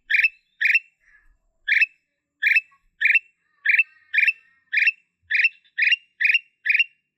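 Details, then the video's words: Black-capped bulbul of the blorok variety: short rich chirping notes repeated roughly twice a second with brief gaps, each note a bright burst with a slight slurred tail, in a quiet, clean recording. "Kutilang Emas Blorok"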